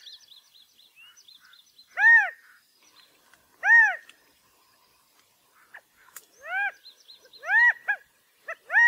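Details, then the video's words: Soft high chirps and ticks from other birds run underneath loud, arched, nasal calls of a California quail, given singly and then as quicker grouped notes toward the end. "California Quail Bird Sound/Call/Song/Noise/Mating calls"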